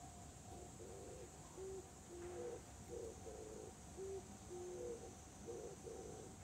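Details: Dove recorded on 14 July 2020, giving soft, low cooing notes in short groups, some level and some slightly rising, against a steady hum and faint high hiss.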